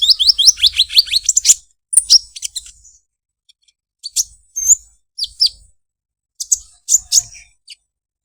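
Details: Olive-backed sunbird in its unique, melodious 'krecek krecek' song: an opening run of quick rising high notes, then scattered sharp chirps and short twitters with pauses between.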